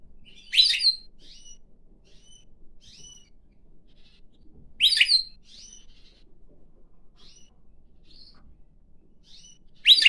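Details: Pine grosbeak (Pinicola enucleator) singing while perched on a person's hand, then flying onto their head: loud bright chirped bursts every four to five seconds with soft high whistles between.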